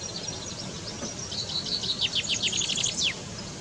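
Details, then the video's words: Male common chaffinch: a rapid run of high bright notes that speeds up and falls in pitch, ending in a quick downward flourish after about three seconds, over steady background noise. "chaffinch call . fringilla coelebs male. Σπίνος. spinos . common chaffinch"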